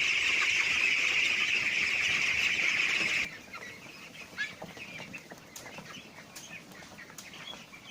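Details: Four-week-old laying ducklings, some starting hoarse quacks, give a dense, high chorus of rapid peeping for about three seconds as food arrives, then quieter scattered peeps and calls; sex not yet known.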